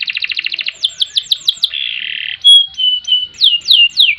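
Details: Singing canary with ngerek, ngerol and nembak styles: a fast pulsed trill, then a run of descending slurred whistles, a steady buzzy note, and sharp clear whistles ending in more downward slurs.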